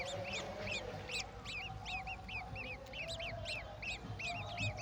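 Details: Feeding scene of a golden oriole giving a mantis to its chicks; clusters of sharp rising-falling chirps, two to three per second, over low rumbling noise and a faint hum.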